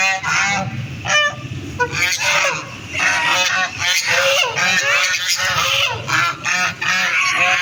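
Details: A group of ducks calling almost continuously, raspy nasal quacks piling over one another with short rising notes mixed in, over a faint low background hum.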